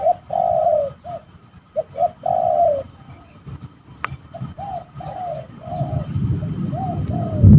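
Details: A fighting spotted dove at an eerie trapping location gives rolling coos in short and long notes, loud at first, then fading and broken as low rumbling noise grows at the end.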